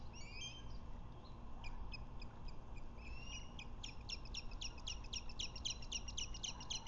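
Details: Osprey at the Lake Murray nest in the afternoon of 21 February 2024, as the male brings a fish to the female after skydancing. A series of sharp, whistled chirps quickens into a fast, repeated run over a low, steady rumble.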